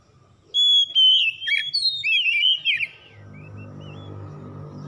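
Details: Oriental magpie-robin delivering a rich whistled song, used to prompt a stressed, silent bird to sing again: sweet sustained whistles and looping twittered notes for about two seconds, followed by a low background drone.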